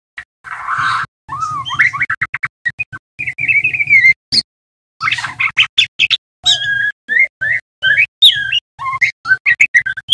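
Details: A juvenile male white-rumped shama practising its song in the ngeriwik twittering style. The notes come as a long, rambling, varied run of whistles, slurs and clicks with brief pauses. A faint steady hum sits behind it.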